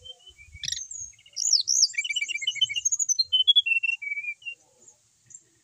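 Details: Settled, steadily singing brown-chested jungle flycatcher from Bali, a kept bird: a high looping whistle leads into a rapid chattering twitter of short notes, ending with a few level descending whistles.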